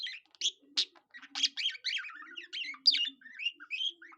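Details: Budgerigar mimicking a cockatiel in a fast continuous warble of chirps, squeaks and brief harsh notes, with faint low murmuring underneath.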